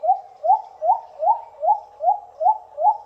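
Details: Little cuckoo-dove, a shy bird in shaded forest, giving a steady series of short upslurred hooting notes, about two and a half per second, evenly spaced and mid-pitched, with no other sounds.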